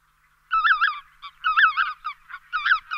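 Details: Lesser White-fronted Geese give rapid runs of high, squeaky, yodelling yelps in bursts roughly once a second, with shorter clipped notes between them.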